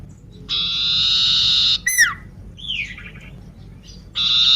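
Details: Sooty-headed bulbul, crippled in one leg, singing eagerly: a long harsh buzz, a sharp descending note, then a short rising-falling whistle and softer chatter before the buzz starts again.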